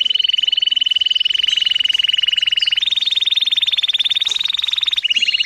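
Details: Canary song used to train young birds: an unbroken, machine-fast trill that steps up in pitch partway through, holds, then drops back to a lower rapid roll.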